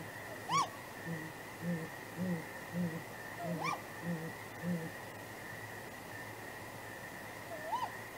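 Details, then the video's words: Great grey owls, a nesting pair, calling at night in April 2019 with contact hoots and responses around possible mating; low muffled hoots in short runs, broken by sharp rising higher cries, then quieter, over constant hum. "Great Gray Owl Pair Nest 23 Apr 2019"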